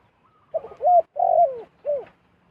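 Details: Zebra dove giving a brief cooing phrase: a short note, a rising coo, a long trilling note sliding downward, and a final short coo.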